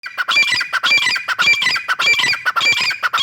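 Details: Grey francolin call, linked to the breeding season: loud, harsh, squawking notes in quick repeated bursts, nearly two a second, with a thin steady whistle running underneath.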